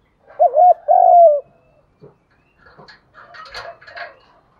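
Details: Spotted dove coo used to provoke other doves into cooing and fighting. One loud two-part low coo opens, followed by clattering, rustling noises and faint notes.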